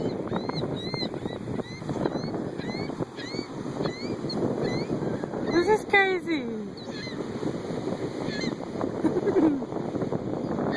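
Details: Wild gulls excitedly calling while a man feeds them: repeated short, high, yelping mews and squeals from several birds, with a louder burst of cries midway, over steady wind and water noise and some nearby speech.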